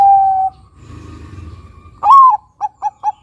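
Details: Zebra dove of the Bangkok type, a singing lure to draw out other doves: a long steady whistled coo, a pause, then a louder rising note followed by four short clipped coos at an even pace.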